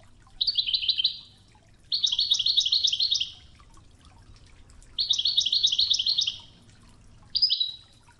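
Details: Training recording of a European goldfinch's Wedani Toghza song with flowing river water: three dense bursts of fast, liquid, chattering trills separated by short pauses, then a brief closing note.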